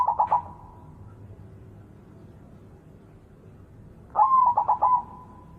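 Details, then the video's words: White zebra dove singing very actively: two short cooing bursts several seconds apart, each a stuttered run of quick staccato notes ending in a level drawn-out tone, with quiet low background hum between them. "Suara Perkutut Putih Super Gacor"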